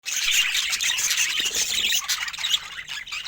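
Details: Pet budgerigars chattering together, a dense stream of high squeaky chirps and squawks without break.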